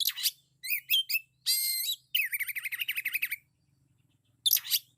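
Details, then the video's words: Oriental magpie-robin singing loudly, a song packed with isian material: sharp chirps, a long buzzy rasping note, then a rapid rolling trill of looping whistles, a pause and a final sharp burst. "Suara burung kacer full isian suara kencang"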